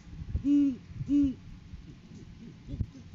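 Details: Great horned owl hooting during the courting season, as a male brings a food gift to a female, picked up by a live camera; two deep, even hoots about half a second apart, then a quiet background.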